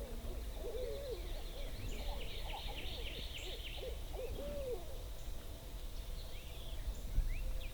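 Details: Several owls hoot over one another in quick bursts of wavering, rising-and-falling, almost cackling notes above a low rumble, calling on their own on a foggy pre-dawn March morning on South Florida public land before turkeys gobble.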